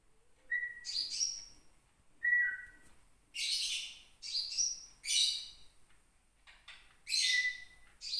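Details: Captive white-rumped shama of Gunung Leuser stock in Aceh, singing angrily when provoked, its first song after nearly a year in care. Clear sustained whistles near one pitch alternate with harsh, noisy bursts and high thin notes, in irregular phrases.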